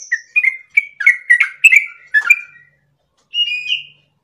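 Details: Lively sooty-headed bulbul song for training and provoking caged birds: a string of short, clear whistled notes for two seconds, a silent gap, then one rising whistled phrase.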